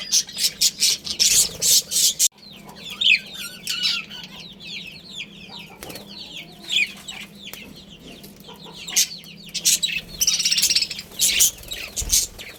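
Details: Budgerigar family colony with a breeding pair: loud rapid clicking and scratchy chirps open and close, with softer sliding warbles between, all over a low steady hum.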